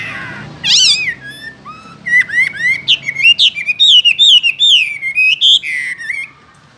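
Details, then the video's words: Caged Chinese hwamei delivering a vigorous song: a loud swooping opening note, a pause, then a quick string of ringing upslurred whistles, rich and melodious, over a quiet background. "Làm thế nào để nuôi được chú họa mi hót như này"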